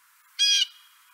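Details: Blue Jay in a backyard in Marion County, Ohio, gives one harsh, nasal, grating squawk of about a quarter second, then a faint lingering tone against a quiet background; the jay call is usually an alarm warning of danger.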